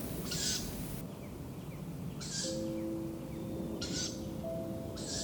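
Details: At least three Tawny owl chicks begging on a forest path one spring evening give short, harsh, breathy hisses about every one and a half seconds, over soft background music and low rumble.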